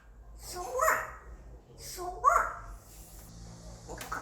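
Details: Pet male African grey parrot, five years old, trying out English: two clear, nasal, harmonic syllable bursts about a second and a half apart, each with a sharp upward-bending tone, then quieter clicks indoors.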